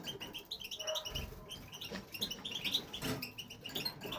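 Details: Aviary male European goldfinch that keeps singing once started; lively bursts of tinkling twitters and chirps with short gaps, plus a few low thuds and rustles in the background.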